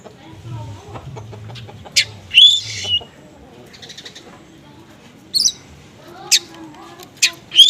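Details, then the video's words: Oriental magpie-robin in konslet style, loaded with small-bird material, played as a lure for magpie-robins slow to respond: sparse, sharp high chirps and short slurred whistles in separate bursts, with a low rumble early on. "PANCINGAN KACER KONSLET MATERI BURUNG KECIL"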